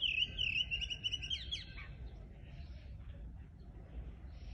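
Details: Countryside bird giving a brief bright warbling phrase of high twittering notes and falling sweeps in the first two seconds, then only faint chirps over a steady low background hum.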